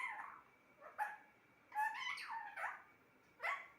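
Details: Pet talking parrot indoors making a sequence of speech-like harmonic syllables with quick upward and downward slides. Brief pauses come between groups, and a sharp rising note closes it.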